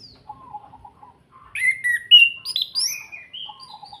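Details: Orange-headed thrush performing kretekan song, a lure to get other birds singing: soft low trilled notes, then a bright run of varied whistled slurs jumping between pitches before quieter low trills return.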